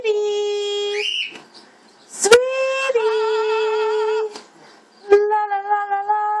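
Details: Female pet blue-fronted amazon parrot singing indoors: long, steady, voice-like tones rich in overtones, some with a wavering vibrato, broken by sharp clicks and short pauses.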